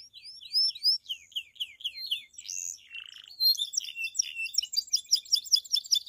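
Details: A pied Belgian canary in bell-like campainha song, sung to stir other canaries and females: repeated rising-falling whistled notes, a harsh burst and a lower buzzy note, then a dense rapid chatter of high chirps.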